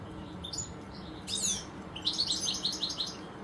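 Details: In a garden, two European goldfinches give a thin sharp downslurred note, then a quick tumbling run of bright tinkling twitters near the end.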